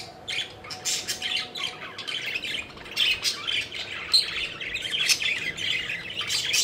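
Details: Pet budgerigars in playful flight give a continuous, overlapping babble of high, buzzy chirps and squeaks that rises and falls in intensity.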